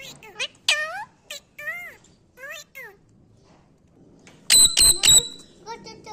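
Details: Pet parrot imitating a dog's barking: several short rising-and-falling harmonic squawks, then three loud, harsh bark-like bursts in quick succession about a third of a second apart, ending with softer chirps indoors.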